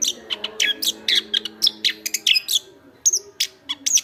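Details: Chestnut-backed thrush (anis kembang), a kept songbird described as gacor ngeplong and used as a tutor recording for other birds, delivering a rapid string of varied sharp chirps, trills and high whistled notes over a faint low hum.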